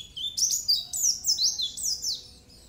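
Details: Pleci singing as a training masteran: a rapid run of high, sharp, sweeping chirps and trills, downslurred notes tumbling one after another over about two seconds, with faint background hiss.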